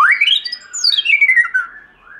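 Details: Wild-style song of a white-rumped shama, from a long uncut recording used to train and excite other shamas: a single loud whistled phrase sweeping steeply upward, then sliding down in a long, fluttering descending trill that fades out.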